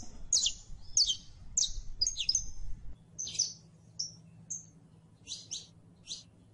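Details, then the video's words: Saffron finch singing a series of sharp, high chirps, first in a quick run of downward-sliding notes, then spaced single notes and short paired chirps, over a faint low background hum. "CANARIO CRIOLLO (SICALIS FLAVEOLA)"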